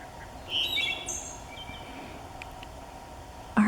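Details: A Wood Thrush singing in a New Jersey forest gives a single brief, fluty phrase rising to a high, thin trill, then faint forest quiet ending in a sudden thump.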